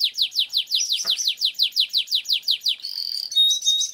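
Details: Canary gacor song with long rolls, a training lure: a rhythmic series of about sixteen loud down-slurred sweeps, then a buzzy roll and high whistled notes.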